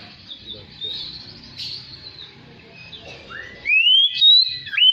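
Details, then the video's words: Magpie-robin singing on a recording used to draw song from kept birds: soft, faint warbling at first, then loud, clear rising whistles sweeping upward and ending in a sharp downturn. "SUARA PANCINGAN KACER BAHAN. DIJAMIN LANGSUNG GACOR DAN BUKA EKOR"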